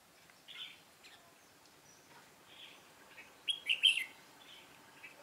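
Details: Red-whiskered bulbul decoy in trapping, singing fighting song: a few soft notes, then a loud, bright warbled burst of several notes.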